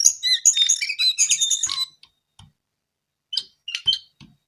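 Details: Brown-eared bulbul pouring out a rapid, crowded chatter of high chirps and warbled notes for about two seconds, then falling quiet apart from a few isolated sharp calls.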